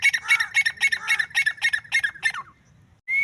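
A female grey francolin gives a fast run of harsh, squeaky notes, about four a second for two seconds, before breaking off.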